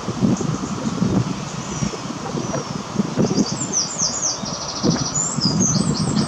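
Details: Dunlin in Invergowrie Bay give thin, high, buzzy trilled calls and short slurred notes in quick bursts over a strong low rumble of wind or surf.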